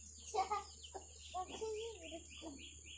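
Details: Chicks following their mother hen through a village as they forage; short low clucks and a drawn call from the hen, then a run of thin descending chick peeps repeated quickly, under a constant low hum.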